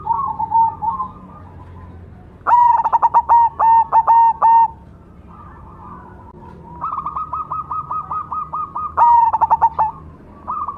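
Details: Black cemani zebra dove singing freely: loud, deep, stuttering phrases of rapid resonant pulses alternate with long runs of lighter, higher clipped coos, with brief pauses in between.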